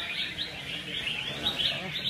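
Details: Red-whiskered Bulbuls at a competitive singing contest in Hương Sơn, Vietnam, giving continuous bright warbling chirps in overlapping phrases, with people talking nearby.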